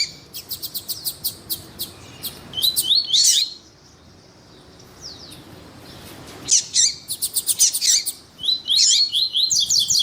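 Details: Double-collared seedeater, male singing with a female calling, meant to stimulate males before tournaments; quick sharp high notes and warbled bursts, a quiet gap of about three seconds with a faint slur, then renewed rapid chipping and twittering.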